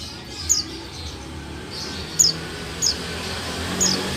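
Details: Female buxtoni white-eye calling to prompt silent males into singing: short, very high thin chirps given singly every second or so against steady low background hum.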